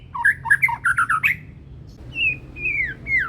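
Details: Young banded white-rumped shama from Medan, still in immature plumage, singing with a strong, penetrating voice: a fast stuttering run of short whistled notes, then three long, clear, gently falling whistles.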